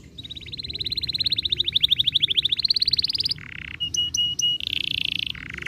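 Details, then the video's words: Canary song used to make other canaries sing quickly and roll: long buzzy trill of rapid repeated notes, then short high whistled notes and a dense trill, clean and loud. "Kenari star blue ampuh bikin kenari cepat gacor dan ngeroll"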